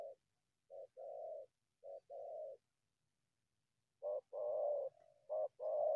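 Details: Cooing of a wild spotted dove that comes from the bushes to a decoy. Short and long hollow coos in repeated phrases, a quiet pause, then a louder phrase with a soft low murmur beneath.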